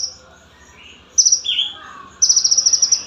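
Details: Olive-backed sunbird, locally called konin, a small bird used as a song tutor for other birds: after a quiet start, a brief very high trill, a lower slurred whistle, then a longer rapid high-pitched trill of about ten pulses.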